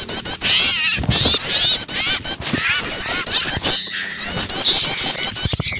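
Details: Alarmed small birds, scared by an owl, giving an almost continuous stream of high, shivering chatter with sharp chips overlapping among several callers.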